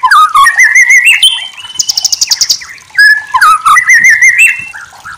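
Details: White-rumped shama masteran song: loud, fluty whistled phrases with upward slurs, a burst of fast buzzy rattling in the middle, then renewed bright whistling.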